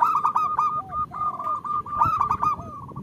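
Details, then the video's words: Calling female zebra dove summoning a male, used as a lure to make males sing: rapid repeated coos in tight clusters, with a lower, slurred note sliding beneath and several sharp, loud accents. "Suara Perkutut Betina Memanggil Jantan"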